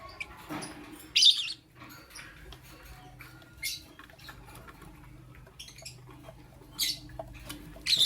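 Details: A lovebird chirps in the morning: loud, harsh broadband chirps recur at irregular intervals of one to three seconds, with quieter scratchy notes and ticks between them.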